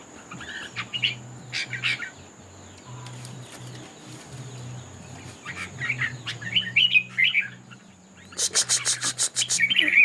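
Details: Red-whiskered bulbul in a singing contest: scattered bursts of bright, warbled notes with long pauses. A loud, rapid series of sharp broadband clicks or rattles comes near the end. A low steady hum sits underneath.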